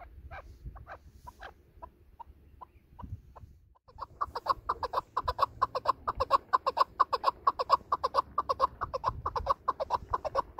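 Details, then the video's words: Chukar partridge, apparently female, calling in excitement, a call used to lure birds for hunting: a long run of rapid, regular clucking notes about two per second, sparse at first then loud and steady, with low rumbling noise behind. "chakor masti ma asi asi awaza niklta aur tran b isi tran kiya jata hia shikar k liya"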